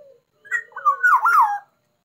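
A black-naped oriole gives a single liquid, fluty phrase of slurred whistles, rising then falling, lasting just over a second against a quiet background.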